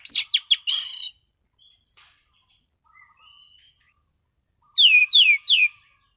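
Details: Relaxed, clear song of a caged orange-sided thrush in prime condition: a quick burst of rich whistled notes, a pause with faint soft murmurs, then three loud sweeping downslurred whistles in a row.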